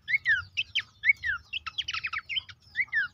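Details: Horsfield's babbler singing, recording meant to stir caged birds into song: repeated clear downslurred whistles alternate with dense clusters of sharp chip notes, a lively, uneven phrase over faint low rumble.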